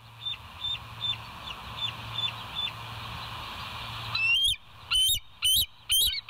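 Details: West End bald eagles on a live cam, 7 July 2023, 06:21: faint, distant high piping notes at first, then loud, close, shrill chittering notes begin about two-thirds of the way through, over a steady hum.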